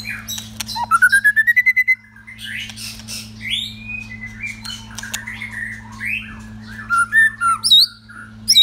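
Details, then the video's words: Captive older white-rumped shama kept for his wild genes sings rich, varied whistled phrases, opening with a quick rising run of about ten notes, then sweeping and fluty notes, over a low steady hum. "White Rumped Shama"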